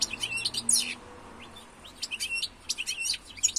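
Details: European goldfinch twittering: rapid, high, tinkling chirps in clustered bursts over a soft, steady low hum.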